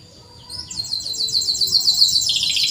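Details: Canary trill for tutoring canaries that rarely sing: a short, very high, fast-pulsed roll that builds in loudness and holds steady to the end.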